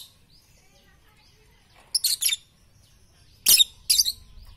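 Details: Lovebird used as a tutor recording for morning, noon and night: two brief clusters of harsh, shrill, screechy chirps about a second and a half apart, separated by quiet.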